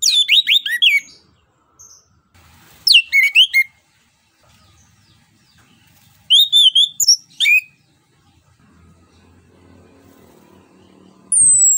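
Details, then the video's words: Orange-headed thrush singing in the ngeplong style, used as a lure to prompt other birds to sing: three bursts of rapid, high, varied whistled notes with sharp up-and-down sweeps, separated by quiet gaps. A short faint call at the end. "ANIS KEMBANG NGEPLONG UNTUK PANCINGAN"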